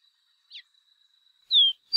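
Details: Chestnut seedeater (Sporophila cinnamomea) song: clear, high whistled notes, one a descending slurred whistle near the end, over a faint steady high tone.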